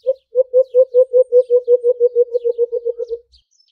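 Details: White-eared brown dove (alimokon) making an aggressive fighting call: an initial hoot followed by about seventeen fast, low, evenly paced hoots that slowly fade, then silence.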